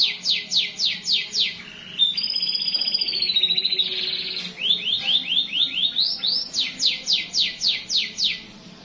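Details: Vocal canary in long-roll song style: rapid falling sweeps, a drawn-out high rolling trill that wavers and descends, a rising run of quick notes, then more repeated high downward sweeps.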